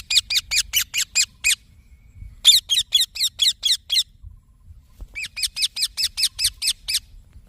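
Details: Green parrot chick calling in three rapid bursts of harsh, high squeaky chirps, each burst holding around six to nine evenly paced notes with short silences between.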